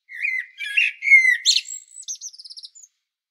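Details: Common blackbird singing on Medvednica Mountain at Sljeme, Zagreb, Croatia, filmed with a Panasonic Lumix DC-TZ90: low mellow fluted warbling phrases followed by a rapid high, squeaky twittering flourish that ends in a thin whistle.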